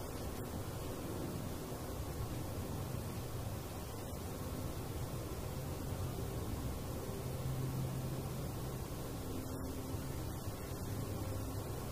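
Steady low rumbling noise like wind or distant traffic throughout, with no animal calls heard.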